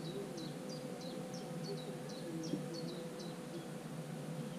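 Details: Common cuckoo chick in a marsh warbler nest, 24 June: a series of short, thin, high notes, each dropping in pitch, about two per second, over a steady low hum and background noise.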